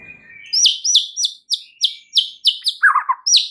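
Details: White-rumped shama lure song meant to excite other shamas: a fast run of sharp, high, downslurred notes, about three a second, ending in a lower, buzzy warbled cluster and another high note.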